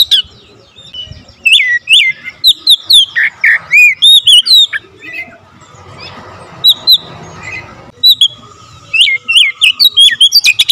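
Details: Oriental magpie-robin singing hard in close-packed bursts, full variation of fill-in phrases: long strings of loud slurred whistles and chips, a grainy hiss in the middle section, then another rapid run of notes.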